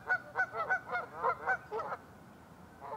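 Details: Morning at Lacamas Lake, Washington, February 2012: a Canada goose gives a fast series of about eight nasal two-part honks, then falls quiet before one last faint honk.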